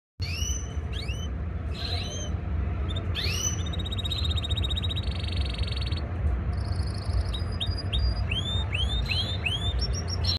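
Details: Male yellow frill canary singing: sharp rising whistled notes in quick series, bursts of fast buzzy trills and high twittering phrases, set over a steady low rumbling background noise.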